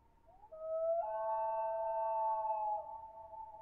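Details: Loud, drawn-out common loon wail: a short rising slur leaps up to a sustained, harmonically rich mournful note held for about two seconds before easing down in pitch and volume.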